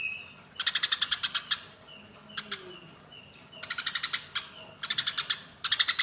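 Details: Eurasian tree sparrows fighting: four bursts of rapid, harsh chirps, each burst a fast string of six to nine sharp notes, with faint short whistled tones between bursts.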